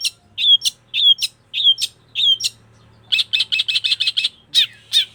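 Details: Energetic song of a long-tailed shrike: four spaced, slurred chirps, then a fast burst of harsh, buzzy notes in quick succession, ending with two more chirps.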